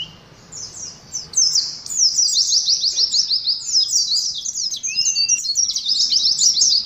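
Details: 'Ngalas' contest song of Oriental white-eyes for cage therapy: starts quietly, then breaks into a loud sustained rush of quick descending high notes, one lower sliding whistle midway.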